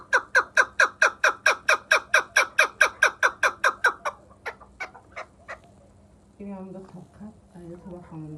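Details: Chukar partridge from Vanj giving a loud run of evenly spaced chuk notes, about two per second, fading into a few softer notes before a man starts speaking near the end.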